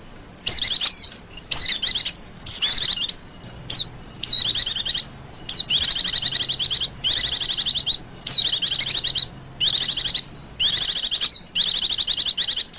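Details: White-eye lure meant to call wild pleci: early sharp descending chirps, then regular fast trilled bursts of high buzzy notes repeated about every second and a half.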